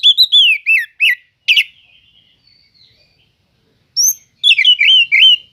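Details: Oriental magpie-robin singing to provoke rival magpie-robins: a few bright looping whistles and sharp chips, a near-silent gap of about two seconds, then more rapid warbling whistled notes.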